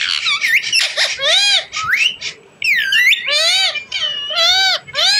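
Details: Rose-ringed parakeet, called a desi or ringneck parrot, talking: a fast string of slurred, speech-like syllables with swooping, harmonic-rich tones, brief pauses between phrases, and some sharper high whistled notes.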